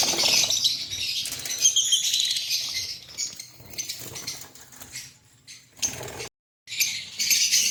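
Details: A breeding pair of green Fischer's lovebirds in Pakistan twitters loudly at first, then fades to scattered chirps and a short silent break before the shrill chatter returns.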